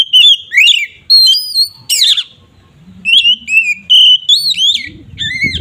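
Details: Oriental magpie-robin (kacer) singing in full open-beaked ngeplong style, used to provoke other magpie-robins: loud, clear whistled phrases with slurred falling and rising notes, delivered in short bursts separated by brief pauses; faint low hum near the end.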